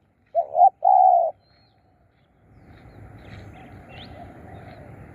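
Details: Spotted dove used as a decoy to lure wild birds gives one low coo phrase, a double note then a longer hum, followed by rising background rumble and faint chirps from other birds.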